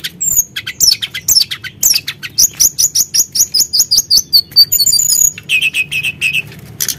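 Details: Energetic song of a Sunda blue robin used as a lure to trigger singing: a rapid even run of sharp high chips, nearly two per second, then a buzzy trill and a run of lower repeated notes.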